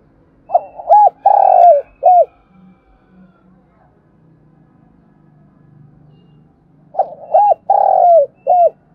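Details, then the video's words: Decoy spotted dove cooing to prompt other doves to sing: two phrases of short hooked coos, a long drawn falling coo and a clipped end note, about six seconds apart with faint low background sounds between. "Tiếng chim cu gáy kích bổi nhanh nổi, cu gáy mồi luyện bổi hót theo"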